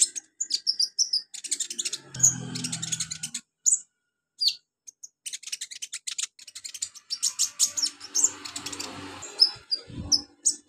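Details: Olive-backed sunbird, a training recording for beginner birds: long rapid sequences of very high, thin, buzzy chirps and ticks with brief gaps between bursts.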